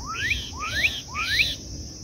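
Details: Japacanim, the Black-capped Donacobius, at Lago do Búfalo, giving three clear rising whistles roughly half a second apart, each climbing steeply to a bright peak, with a constant high-pitched drone behind.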